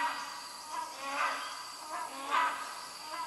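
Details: Wild hornbills calling at the Sungai Papan campsite in Royal Belum State Park, Perak, Malaysia, in the late morning; distant, harsh, honking notes about a second apart rise over a steady background hum of insects.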